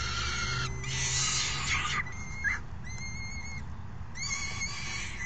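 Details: Raucous falcon nestlings beg as a parent feeds them dinner, June 2018. A harsh screech gives way to short, level, whistled whines in separate bursts, over a low steady hum.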